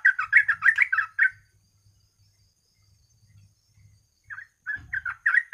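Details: Yellow-vented bulbul song used as a lure to make other birds sing: a quick run of bubbly, warbling notes, then a pause of about three seconds, then a second run. A faint low hum sits underneath.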